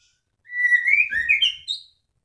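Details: A moulting White-rumped Shama that keeps singing gives one rich, fluting phrase lasting about a second and a half: slurred whistles climbing in pitch, ending on a bright, high note.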